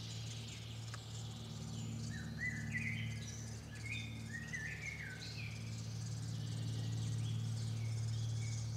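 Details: Great spotted woodpecker (Dendrocopos major) family at the nest: a busy run of high, chirpy notes, about three a second, over a steady low hum.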